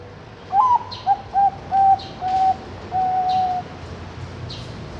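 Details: Anggungan song of a zebra dove bred in captivity at Kediri, East Java, Indonesia, hatched May 2023: a rising opening coo, three quick clipped notes, then two longer tones and a drawn-out level final note.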